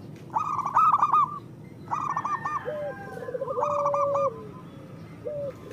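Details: Zebra doves of the local type, a master recording for reluctant singers: loud rolling coo bursts spaced about one and a half seconds apart, with a long level coo and softer rising notes between.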